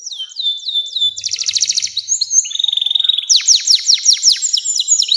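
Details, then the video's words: Canary in long 'nembak panjang' song for training young birds: clear falling whistles, then fast buzzy trills and a run of rapidly repeated downward-sweeping notes, continuous and loud throughout. "SUARA KENARI NEMBAK PANJANG‼️cocok buat pancingan kenari muda dan masteran burung"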